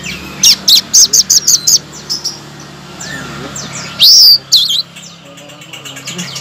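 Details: Song of a blue-crowned laughingthrush, played as a master to make stalled songbirds sing: a quick run of six sharp high chirps, a pause, then a loud upslurred whistle and a few scattered notes.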